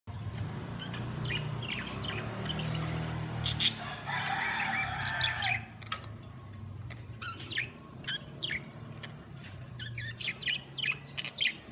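Budgerigars chirp and warble in quick, scratchy bursts over a low background hum.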